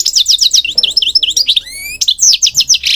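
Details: Singing goldfinch, European species, used for bird training, Morocco mentioned: fast continuous twitter of looping notes, a clear rising whistled slide, then brisk repeated chirps and a buzzy ending.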